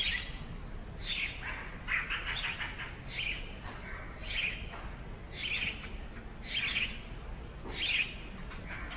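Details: Sparrow parent bringing food to chicks nesting in a hole in a brick house wall: short, sharp chirps repeated roughly once a second, some clustered in pairs, over steady low rushing background noise.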